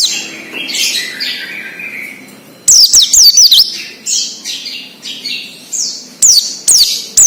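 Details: Wild Oriental white-eye, recorded as a song lure for untrained captive birds: soft distant twittering, then a loud burst of rapid high zigzag whistles, followed by scattered chirps and two shorter bursts.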